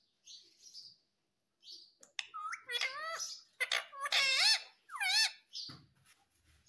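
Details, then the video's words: Talking pet parrot indoors repeating nasal, voice-like syllables with bending pitch in quick phrases, between soft high chirps. "Natural Parrot Sound ❤️ talking Parrot mummy papa"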